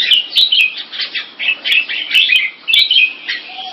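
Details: Red-whiskered bulbul, a caged competition bird in Singapore, singing on its first winning day at a contest: rapid bright warbled and chirpy phrases in short bursts about every half second, with sharp clicks throughout.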